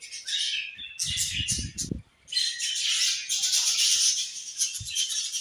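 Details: Several budgies chirping in a dense, high warbling chatter, with bursts of low knocking or thumping noises in the middle.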